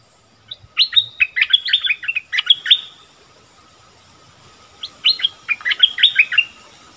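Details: Caged decoy streak-eared bulbul singing to lure wild bulbuls, January 2021. It gives two chattering phrases of quick, bubbly, up-and-down notes separated by about two seconds of quiet.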